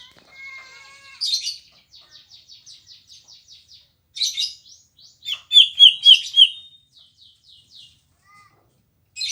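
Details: {'caption': 'Green leafbird singing persistently and sweetly at a house: rapid buzzy trills, a steady series of short high notes, and loud slurred whistles dropping in pitch, with a few quiet low whistles near the end.'}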